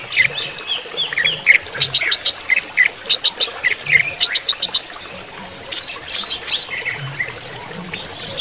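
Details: Greater green leafbird during running-water therapy, uttering clusters of short, sharp chirps in quick groups of three or four, separated by brief pauses.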